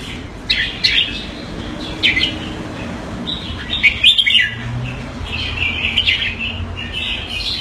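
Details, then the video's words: Caged Red-whiskered bulbul (jambul) kept in Singapore, giving keke calls on command: bursts of sharp, bright chirps and twittering notes in irregular groups with short pauses, over a faint low hum. "Jambul - สิงคโปร์เลี้ยง นกหัวจุก Mickey (keke on command)"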